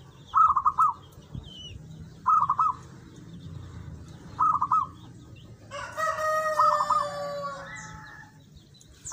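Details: Local zebra dove (perkutut) singing actively: short rippling cooing phrases of about five quick notes, repeated roughly every two seconds, four phrases in all. A rooster crows loudly midway, and small birds chirp faintly behind.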